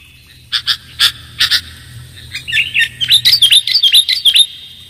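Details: Sooty-headed bulbul luring sound: a few spaced, sharp chirps first, then a rapid string of clear, slurred whistled notes, repeated roughly twice a second and rising into brisk twittering.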